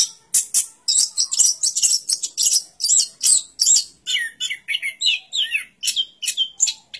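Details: Anis kembang, the orange-headed thrush, pouring out rapid high twitters and scratchy notes, shifting later to lower, repeated slurred chirps about twice a second.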